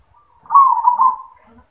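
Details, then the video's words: Perkutut, the zebra dove, singing in the style called 'yoman': one clear, low, burbling coo phrase of about a second, wavering slightly in pitch, followed by quiet. "Perkutut suara yoman | Perkutut Manggung"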